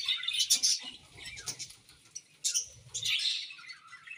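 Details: Chattering budgerigars give sharp high chirps and squeaky warbles in uneven bursts, with some low rustling or knocking beneath the calls.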